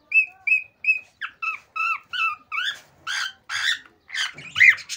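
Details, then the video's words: A male cockatiel gives an excited mating-stimulation song. It starts with neat repeated whistles, then shifts to rising two-tone notes and ends in loud, raspy, buzzy warbling phrases. "تغريد هائج لذكر الكوكتيل لتحفيز الذكور والاناث على التزاوج"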